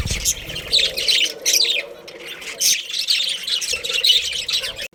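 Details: A budgerigar breeding pair chatters in short bursts of bright, buzzy chirps and squeaks, each about half a second, separated by brief quiet gaps.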